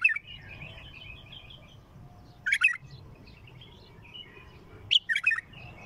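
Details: An untrained bulbul with a heavy voice gives two loud, rich, bubbling phrases about two and a half seconds apart, over steady high twittering from other small birds.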